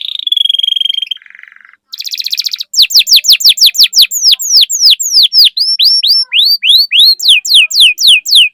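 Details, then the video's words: Canary song used to stimulate other canaries into singing: a steady whistled note, a short buzzy trill, then a long series of loud downslurred whistled notes repeated about three per second, high and sharp. "Pancingan Burung Kenari Gacor Cuit Cuit Masteran Kenari Paud"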